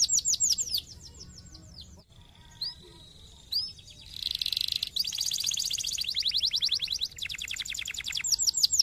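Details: Canary song to spur other canaries to sing: a brief high trill, a quiet stretch with a flat held note and two whistled notes, then a buzzy burst and fast rolling trills.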